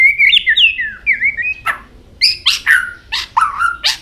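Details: White-rumped shama singing many varied notes while continually flicking its tail: clear whistled slurs rising and falling, then a run of sharper, buzzy, downslurred notes after a short pause.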